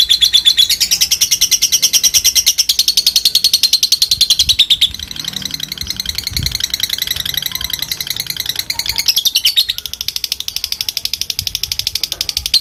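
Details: Long ngekek chatter from a fighter lovebird calling out opponents: a continuous high, rapid, evenly pulsed trill lasting over twelve seconds, slightly shifting in pitch partway through.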